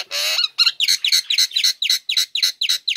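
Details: Female Nias hill myna, caged, singing hard after uncovering, kept to get idle birds singing: one nasal, drawn note followed by a brisk, regular series of short, sharp downward-slurred calls.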